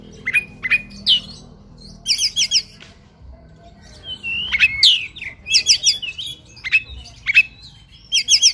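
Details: Oriental magpie-robin singing aggressively while fighting, packed with short repeated trills, buzzy chatters and a few slurred whistles in quick succession, with brief pauses between bursts and low background rumble.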